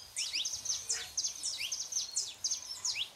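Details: Saffron finch, male and female, singing to stir a quiet canary: rapid high chirped notes with short downward sweeps, repeated in quick bursts over faint background hiss.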